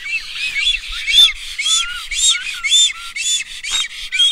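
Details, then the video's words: Black stork at feeding time with its young: loud, hoarse, wheezy squawks with whistled overtones, given in a rapid steady series about twice per second, with a few low rustling knocks beneath. "Black stork call and feeding its babies!"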